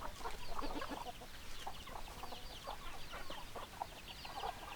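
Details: A group of hens clucks continuously in quick, overlapping short notes, about four per second, over a constant noisy hiss.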